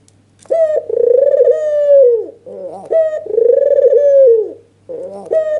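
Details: Excited red-eyed white dove, known as albino, giving its nodding lure call: two long pulsing coos that sink at their ends, separated by short wavering notes, and a third phrase beginning, with a steady low hum.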